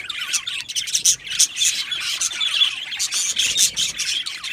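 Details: A colony of budgies in an aviary keeps up a lively chorus of quick, bright chirps and scratchy warbling notes, many voices overlapping with brief louder peaks.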